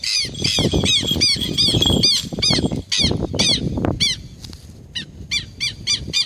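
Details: Imprinted captive Harris's hawk kept by an Atlantic Forest bird rehabilitation group, giving a rapid series of harsh, ringing harmonic calls about two per second, then sharper, more spaced calls near the end, over low rumbling background noise.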